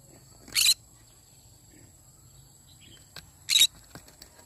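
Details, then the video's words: Two harsh, buzzy screeches about three seconds apart from a yellow-sided conure in the morning, over low background noise and a faint high tone. "Yellow sided conure singing sounds in the morning."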